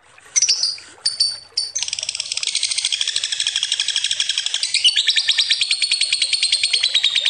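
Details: Lovebird giving a long ngekek trill meant as a lure: a few sharp high chirps open, then a dense, buzzy, rapidly pulsed chatter rolls on unbroken for over five seconds, rising slightly in pitch near the end.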